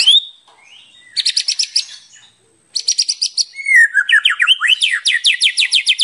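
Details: White-rumped shama (murai batu) with richly varied 'full isian' song: a rising whistle, bursts of sharp repeated high notes, then a swooping phrase leading into a fast run of ringing, upward-flicked notes.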